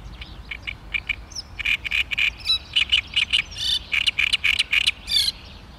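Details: Great reed warbler singing in May 2013: dense sequence of harsh, rasping, frog-like notes repeated quickly, a few high squeaks mixed in, continuing unbroken for several seconds.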